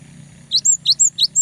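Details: Close cinereous tit song used as a lure for rival birds: three crisp paired notes, a sharp rising whistle followed by a higher level one, delivered in quick succession over a faint low hum.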